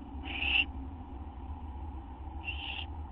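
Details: At a nest at night on September 6, 2011, during a food delivery, an owl gives two loud, harsh hissing bursts about two seconds apart against a steady low background hum.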